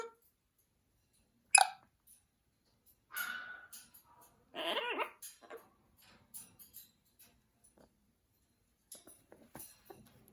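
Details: A pet Amazon parrot, urged to 'say hello', gives a sharp squawk and then short voice-like mimicked phrases with rising and falling tones, while a person speaks softly in a small room.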